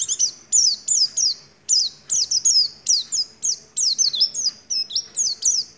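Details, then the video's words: Oriental white-eye's 'nagen ngecrok' style, with white-rumped shama imitations: a steady string of piercing, high, downslurred whistles, each repeated roughly every half second, ending in mixed twisting notes. "Pleci gacor gaya nagen ngecrok isian Murai batu"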